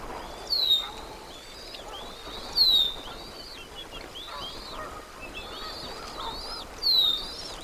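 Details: Bald eagle family feeding at the nest on March 28, 2024, with the father pushing to reach his eaglets; repeated thin, high, piercing downslurred whistles mixed with softer chittering notes.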